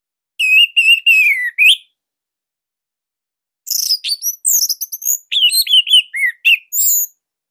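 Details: Bali orange-headed thrush singing a master song to spur other thrushes; a run of four to five repeated whistled notes, a pause, then a varied fast medley of chirps, slurs and high whistles.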